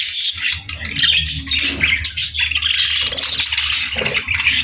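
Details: A flock of parakeets chatters over a warm meal on a cold winter morning. Dense, scratchy warbles and sharp chirps pile on top of each other throughout, with faint low rumbling underneath.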